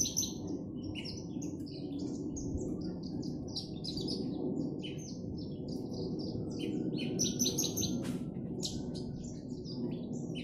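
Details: Javan bush lark being sunned in its cage sings a long, irregular stream of high chirps and short trilled notes over a faint rumbling background.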